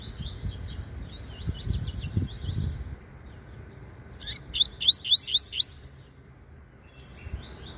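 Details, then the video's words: Caged Double-collared seedeater, a young bird singing a lot while sunbathing in the morning: an earlier soft, buzzy phrase, then a loud run of about six sharp rising chirps, with low rumbling noise at the start. "Coleiro Papa-Capim Revelação Meio Canto Cantando Muito"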